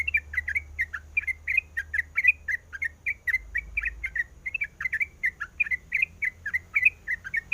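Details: A female sooty-headed bulbul in breeding condition calls the male: a loud, sustained string of short, bubbly two-part chirps, about three per second, throughout.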